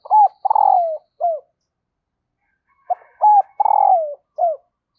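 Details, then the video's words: Female dove calling to excite the male, a call said to draw wild doves quickly: two phrases of short hooked coos around a long, slightly falling vibrating coo, separated by a pause, in otherwise quiet surroundings. "Tiếng Chim Cu Mái Kích Trống"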